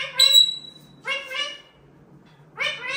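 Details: A pet grey parrot (Psittacus erithacus) mimics speech in three short, voiced, word-like bursts with a nasal, human-like tone, each under half a second, in a quiet room, after being told she is a tin of corn and to squawk.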